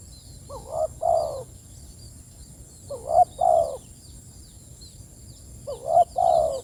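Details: Spotted dove calling its companions with three evenly spaced phrases, each a brief rising note and a fuller, longer coo, low and mellow; small birds chirp faintly and a steady shrill tone runs throughout.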